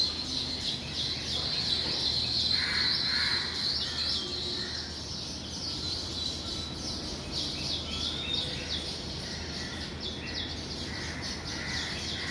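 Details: Morning at weaver bird nests with birds flying in and out: continuous high twittering from many birds, with occasional lower, rounder call notes standing out against it.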